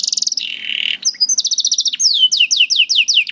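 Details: Canary song played to train young or reluctant canaries to sing: a rapid buzzy trill, a sustained rolling note, then a series of repeated descending whistled sweeps, all high-pitched and clean.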